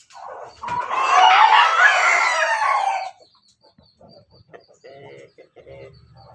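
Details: Pelung chicken, a kept bird, recorded 17 May 2024: a loud, harsh, wavering crow lasting about two and a half seconds, followed by faint scattered clucks and low background rumble.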